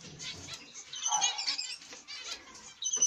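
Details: Zebra finch pair of masked black-cheeked mutation with chicks in the nest; rapid high rasping chatter in quick overlapping bursts, a brief louder buzzy note at the end.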